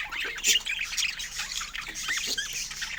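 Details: Budgerigar chatter: short burst of squeaky warbles and sweeping whistled chirps, with a louder squawk early on and softer murmuring notes after.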